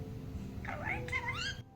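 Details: Six-year-old male pet budgerigar in Mie Prefecture, Japan, that mimics Kansai-dialect speech, startled by a sneeze; a squeaky, speech-like utterance of two quick rising-and-falling parts lasting about a second, over faint room hum.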